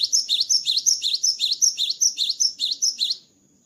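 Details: Cinereous tit singing strongly after its moult: a long, even series of about fifteen shrill, bouncing two-part notes over three seconds, ending abruptly into quiet.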